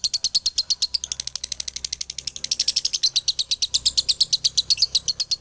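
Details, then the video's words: Male lovebird, Galendo Ciamis, singing dobelan: a rapid, rattling stream of high chirps that quickens and becomes denser in the second half, steady and unbroken. "SUARA ASLI DOBELAN LOVEBIRD JANTAN"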